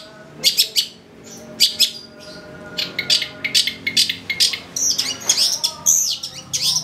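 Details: Long-tailed shrike singing continuously, full of varied fill-in phrases, meant to stir shrikes into excited song: sharp, clipped harsh notes in uneven groups, building to a tumbling series of high squeals and buzzy rasps near the end.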